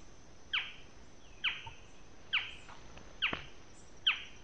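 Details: A Barred Forest-Falcon, unseen, calls in the late afternoon in the Yabotí Biosphere forest of Misiones, Argentina, giving five sharp, high, downslurred yelps, one almost every second, over a faint hiss of background noise.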